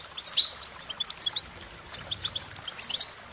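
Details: Short burst of European goldfinch song: bright, high tinkling notes and quick chirps in a lively, fluttering phrase.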